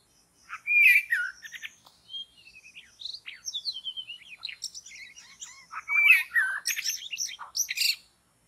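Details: Forest white-rumped shama, recorded while trapping birds, delivering an energetic, jumbled song: loud buzzy-rich phrases, quick twitters and fluty slides, rising and falling, twice swelling into loud bursts.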